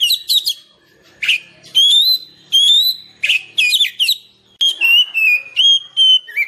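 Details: Natural Oriental magpie-robin song meant to make lazy caged birds sing and to attract wild ones: separate loud phrases mixing rich sustained whistles with rapid twittering notes, each followed by a short pause.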